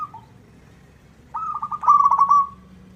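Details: Zebra dove, local stock, singing hard to make a rival answer: a brief two-note coo, a gap, then a long rippling trilled coo that swells and fades. A faint low hum is audible.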